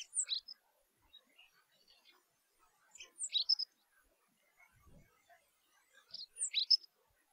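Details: Rock Bunting (Emberiza cia) repeating short, high, thin phrases of two to four sharp notes about every three seconds, with quiet scattered chips between them and one low brief thump.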